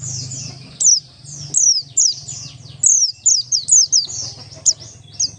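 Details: High-pitched Oriental white-eye song in the ngalas style, meant to prompt other white-eyes to sing: bright, thin, downward-slurred notes in quick irregular clusters, loud and sharp, with a faint low hum behind.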